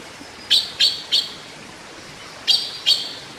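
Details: Taiwan blue magpie (Urocissa caerulea), a Taiwan endemic of mid- to low-elevation forests, recorded while bathing, gives sharp, high chipping notes: a quick run of three, then after a pause two more, over a soft steady background hiss.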